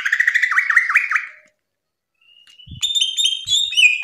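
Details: Greater green leafbird song for training kept birds: a warbled phrase of looping, rising and falling notes, a pause, then clear high whistles with a faint knock in the background.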